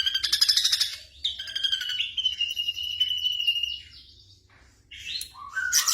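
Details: Black drongo singing, used as night-time training for caged songbirds: a harsh rapid chatter, a sustained slightly falling whistled trill, a brief pause, then quick sweeping whistles.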